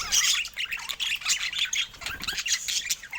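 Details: Several pet budgerigars chatter in a lively tangle of high chirps, squawks and scratchy warbled notes that rise and fall without a break.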